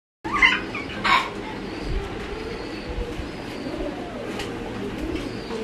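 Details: English Trumpeter pigeons, a fancy domestic pigeon breed (silver barred), give low, soft, rolling coos over steady background hiss, with a couple of sharp flutters or clicks near the start.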